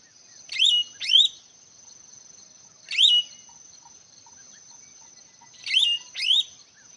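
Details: Singing hwamei: five bright upslurred whistles, mostly in quick pairs, separated by pauses of about two seconds, over a faint steady high tone.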